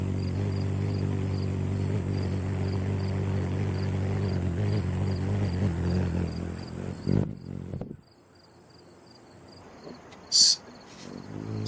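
A hummingbird's wings make a steady, low buzzing hum for about seven seconds over a fast, even chirping of crickets, then fall quiet before a brief sharp rustle.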